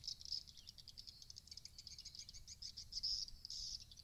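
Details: Swiftlet twittering used to draw swiftlets into a roosting house: continuous high, shrill chirping with quick rattling pulses and short bright trills, steady throughout over a soft low background hum.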